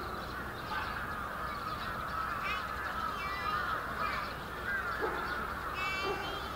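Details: Huge brambling flock wintering in Yoyogi Park, Japan, February 2019, calling all at once; dense chatter with a few clearer rising and falling notes standing out, plus one lower call toward the end.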